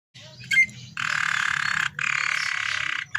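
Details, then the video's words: Canary in vigorous, richly varied song, used as a lure recording to prompt other canaries to sing: a brief chirp, then two dense buzzy rolls of about one second each, separated by a short gap, over a low steady hum. "suara burung kenari GACOR cengkok mewah istimewa‼️cocok untuk Pancingan"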